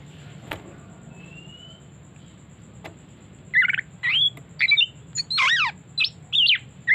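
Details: Oriental magpie-robin song used as a lure, opening with a faint thin whistle and clicks, then from mid-clip a rapid burst of varied short notes: buzzy chips, sweeping slurs and a loud descending trill, over a low background hum.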